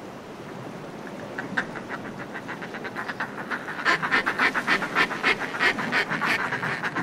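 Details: Northern fulmars calling close up from groups displaying on cliff ledges: a rapid, guttural cackling chatter that builds in loudness and speed, over steady sea wash.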